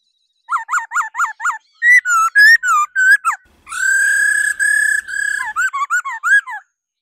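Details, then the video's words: A female laughingthrush's 'ro ro' call to stimulate males: a run of six quick forked whistles, varied warbled phrases, then long pulsing rattled notes and closing looped chirps. "Khứu mái ro ro.kích trống hót căng"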